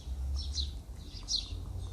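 Two short, bright house sparrow chirps about a second apart, over a steady low rumble.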